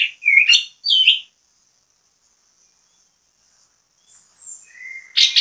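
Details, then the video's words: Orange-headed thrush used as bait song to set other birds singing: two short bursts of sharp varied notes, a long pause, then soft whistles building to a loud high burst. "ANIS KEMBANG GACOR MEMBUAT ANIS KEMBANG IKUT BUNYI, PANCINGAN ANIS KEMBANG"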